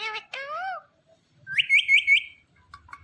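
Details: Indian ringneck parakeet talking: two short speech-like harmonic phrases, then a quick run of four bright whistled notes, trailing into faint soft chirps.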